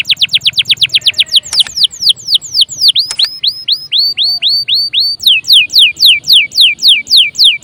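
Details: Canary in full song, played to trigger singing in other birds: rapid down-slurred whistles, then slower rising and falling looped whistles, then loud down-slurred notes about three per second.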